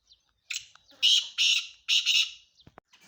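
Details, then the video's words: A calling male black francolin, a young Sindhi bird, delivers a harsh rasping series: a brief scratchy note, then three loud grating, buzzy bursts in steady rhythm, ending with faint clicks. "کالا تیتر کی اواز"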